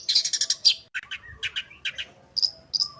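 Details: Long-tailed shrike song with mimicry, a master recording meant to make shrikes sing: a rapid rattle of high buzzy chirps, then lower paired notes and a few drawn-out thin whistles.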